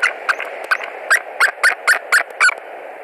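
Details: White-tailed eagle at its nest in Latvia on 20 March 2021, screaming repeatedly as a stranger eagle lands on a nearby branch; a rapid run of sharp, harsh yelping notes, about eight in three seconds, each stronger than the last.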